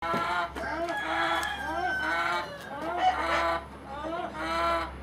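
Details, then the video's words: One hen making a strange, unexplained noise; harsh, nasal rising-falling clucks repeated roughly once a second, with a steady low hum underneath. "HELP Chicken making WEIRD Sound WHY"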